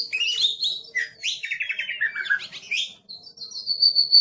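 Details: Fierce-sounding Oriental magpie-robin delivering a fast rambling song of slurred whistles and rapid descending trills, ending on a long, level high whistled note.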